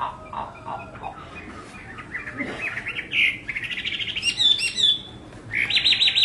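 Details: Hwamei song with soft, low notes at first, building into brighter whistled runs and high sharp phrases near the end.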